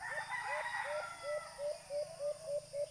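A White-eared brown dove gives a quick series of short, low, upslurred hoots, about four per second, over a steady hiss and faint higher tones.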